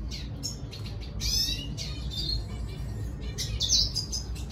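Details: Red siskin singing to attract a female: scattered short bursts of high, thin chirps and buzzy notes, broken by brief gaps, with one sharper whistled note near the end over a low background hum.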